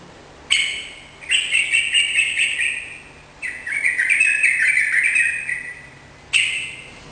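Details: Kept Yellow-vented bulbul (trucukan) singing vigorously, used to prompt other caged birds to answer; bright chattering phrases of quick warbled notes in three bursts with short pauses between them.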